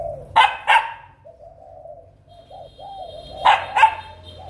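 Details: Breeding spotted dove uttering a run of soft, low, rounded coo notes, framed by loud sharp clacking bursts at the start and end, with a faint thin high tone in the background.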